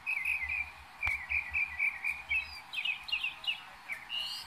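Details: Northern mockingbird in New Jersey in May 2021, a repertoire sample from a bird that imitates other birds and other sounds: a rapid, varied run of bright chirps and trills, phrases shifting quickly in pitch and pattern, over faint low background noise.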